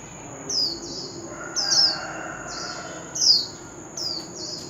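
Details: Oriental magpie-robin lure sound for singing contests. Five quiet, high, downward-sliding whistles at uneven intervals, over a constant high hiss and broad background noise.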